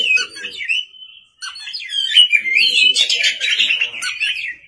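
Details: Lively Oriental magpie-robin song at night: one long whistle, a short gap, then a continuous stream of varied twittering and whistled notes.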